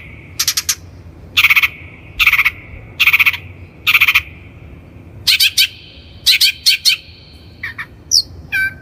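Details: Long-tailed Shrike (bentet kelabu) recording meant as a lure for training birds: five evenly spaced harsh, buzzy bursts, then a busier stretch of scratchy notes, clicks and short rising whistles.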